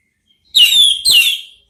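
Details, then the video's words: Ngeplong-style song of an orange-headed thrush, used as therapy to provoke another thrush to answer: two long, loud, clear whistles, the first sustained and steady, the second shorter and falling away. "belajar NGEPLONG cocok untuk MEMANCING ANIS MERAH supaya ikut NYAUT ¦ KICAUAN TERAPI"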